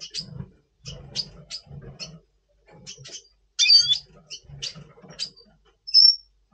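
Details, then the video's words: Red siskin, Double Pastel colour form, singing in breeding mood ahead of breeding in November 2023; a series of high chips and ticks, a loud buzzy phrase midway, then a clear drawn-out whistle. "Red Siskin 🦩Double Pastell 🔥FeuerZeisig before Breeding - Voice Brutstimmung"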